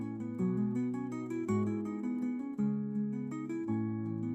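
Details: Strummed and picked acoustic guitar playing a slow melody with rich chords; no birdsong or other animal sound is audible.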